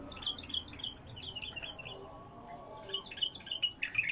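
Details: A wild bulbul in its first isolation sings bright, chirpy whistled notes in quick runs, pauses briefly, then resumes with a louder burst. A faint low hum runs underneath.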